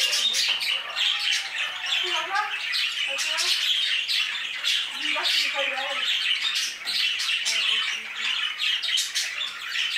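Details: Aviary budgerigars chattering together: a steady wash of bright, scratchy chirps and squeaks, with a few lower, harsher squawks standing out now and then.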